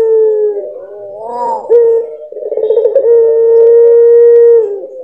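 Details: Puter pelung dove, one of nine birds with distinct song characters: wavering rising and falling notes, a brief clear tone, a rapid pulsing trill, then a long steady held coo lasting about one and a half seconds.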